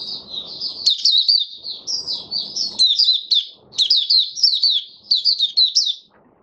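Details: Continuous high, sweet warbling from a white-eye, locally called mata puteh, singing in buka sing style: jumbled rapid chirps and slurred notes with brief pauses, accompanied by low background noise in places.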